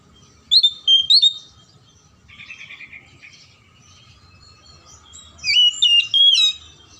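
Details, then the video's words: Oriental magpie-robin song played to prompt silent or lazy magpie-robins to sing: bursts of clear whistled phrases with sharp slurred notes, a quieter buzzy warble in the middle, then a louder run of whistles near the end. "PANCINGAN KACER MACET & MALES BUNYI AGAR JADI KACER RAJIN GACOR NGOBRA"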